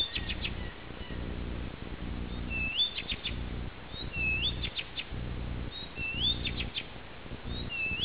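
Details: A Blyth's reed warbler sings on a summer night, 11 June, in Ähtäri, Finland: unhurried phrases of upslurred whistles and dry ticking clicks, repeating each motif about every second, over a steady low rumble.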